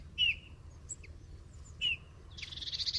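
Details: Eurasian bullfinch giving two soft, slightly falling piped whistles about a second and a half apart, with faint high chirps and a brief scratchy twitter at the end.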